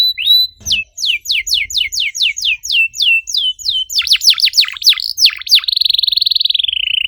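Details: Canary singing to trigger song in a silent bird: a brief whistle, a long run of evenly spaced falling notes, deep swooping phrases, then a sustained rapid buzzy trill.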